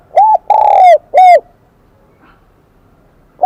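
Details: Spotted dove, a wild-caught bird with the high-pitched Kim Đồng (bell) voice style, gives one cooing phrase: a short arched coo, a longer drawn coo and a final arched coo, then quiet.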